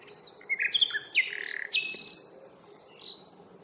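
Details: Nightingale heard at Fingringhoe reserve on 1 May, recorded with a Panasonic Lumix FZ82: a dense phrase of rich, varied whistles and buzzy notes, then a rapid rattle, fading to quieter distant twitters.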